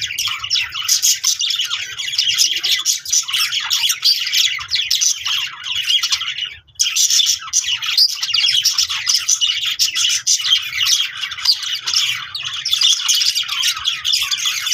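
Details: Budgerigars, apparently playing happily, chatter in a dense, continuous stream of high warbling chirps and squeaks.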